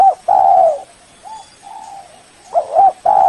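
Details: Spotted dove calling to lure a rival: a long hollow coo, soft fading notes, then a wavering double coo and another strong coo, low and resonant.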